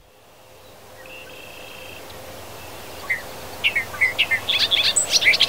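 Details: Bobolink in grasslands and fields of Wisconsin: after a quiet start and one thin sustained whistle, a rapid burst of bubbling, gurgling high notes builds toward the end.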